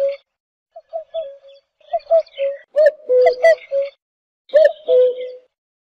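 A cuckoo gives low, hollow, mellow notes, singly and in slurred pairs, about a dozen in six seconds at an uneven pace, with a few sharp clicks.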